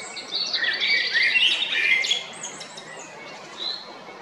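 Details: Male Eurasian blackbird singing at Jarun, Zagreb, Croatia, on 22 April 2021, a loud tumbling phrase of fluted and twittered notes lasting about two seconds, then quiet with one faint high note.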